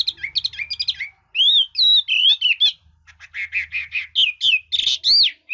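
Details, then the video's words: Varied, voice-switching song of a red-whiskered bulbul: quick twittering phrases give way to loud looping whistles rising and dipping, then a run of rapid chattered notes and clear upslurred whistles, with faint low hum. "Chú mi cực hay, đảo giọng hót tốt hót rất đẳng cấp"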